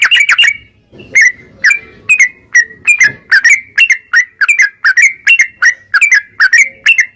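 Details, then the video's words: Yellow-vented bulbul in ropel-style gacor song meant to stimulate bulbuls: an opening cluster of rapid chirps, then a long, even series of liquid slurred notes at a brisk pace. "trucukan gacor NARUNG Ropel perangsan burung trucukan agar cepat bunyi dan gacor"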